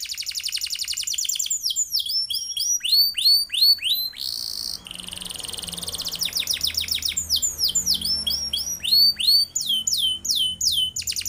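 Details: Atlantic canary singing a long rolling song meant as a tutor for training other birds: fast high trills alternate with runs of sharply falling whistled notes, a buzzy trill in the middle, a faint low hum beneath.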